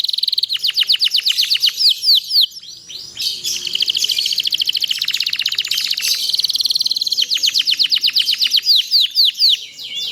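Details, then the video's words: A canary delivers continuous master song for teaching other canaries. Swept chips open and close it, with a long central stretch of dense, rapid, rolling trills at about four notes per second. "cuit cuit ceer suara kenari ini ampuh buat masteran segala jenis burung kenari jadi gacor panjang"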